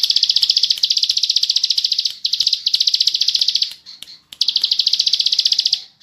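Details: Bar-winged prinia, known as ciblek sawah, singing steadily in the ngebren style on a tutor recording: strings of quick, buzzy high notes, a few clicks, and short breaks.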